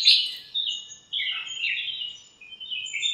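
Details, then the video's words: Birds chirping to one another in a backyard lemon tree on a sunny morning: a loud high opening chirp followed by tumbling, sliding twitters and chatter, fairly continuous and bright. "chirps at morning | backyard bird sounds"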